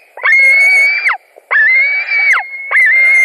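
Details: At a white-tailed eagle nest in Latvia, 17 July 2020 at 22:00, a fish delivery prompts calling. Two long, loud, even-pitched wails of about a second each, separated by a brief pause, with a third beginning.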